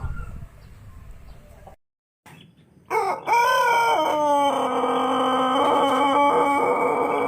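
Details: Pelung rooster of Plered, Purwakarta, giving a long crow: a brief break in the recording, then a loud rich harmonic call that rises, dips, then settles into a sustained even tone held for several seconds.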